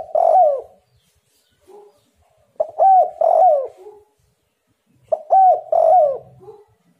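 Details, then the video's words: Spotted dove calling as a lure for other doves: three repeated phrases about two and a half seconds apart, each with clipped introductory notes and a rolling, downward-sliding coo, followed by a faint soft trailing note. "derkuku super gacor bikin lawan langsung nyaut"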